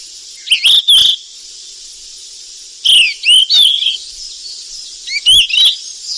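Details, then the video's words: In the wild, a golden flycatcher feeding its young gives three clusters of thin, high, bending chirps, two or three notes per cluster, with clicks and a steady hissing background. "BURUNG SIKATAN EMAS YG CANTIK DI ALAM LIAR LAGI LOLOH ANAKNYA PLUS SUARA MASTERAN"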